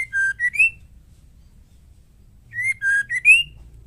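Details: Female murai batu, the white-rumped shama, with song used as a lure for males; two whistled phrases about two and a half seconds apart, each a lower held note and a bright rising slur, over faint hum.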